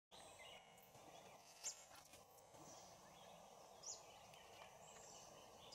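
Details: Oriental dwarf kingfisher in Bondla Wildlife Sanctuary, March 2019, giving three thin, very high squeaky notes about two seconds apart, over a steady hiss of forest background noise.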